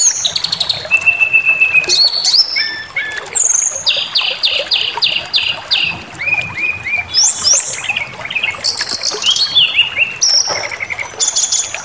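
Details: Provoking song of a brown-chested jungle flycatcher, meant to enrage listening birds: rapid run of repeated bright whistles, a series of identical sharp notes, then descending slurred phrases and thin high whistles, continuous and lively.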